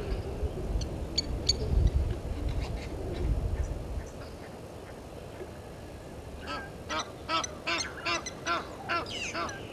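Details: Egyptian geese at Gowrie dam waterhole, Djuma Game Reserve, Sabi Sand Wildtuin, South Africa, in a dispute with intruder geese; after low rumbling noise, a run of harsh, repeated honks starts midway, about three per second.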